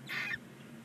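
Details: One of nine 19-day-old barn owl chicks in a nest box on a chimney in Ságvár, Hungary, gives a single rasping, snore-like hiss of about a quarter second, then quiet with a faint low hum.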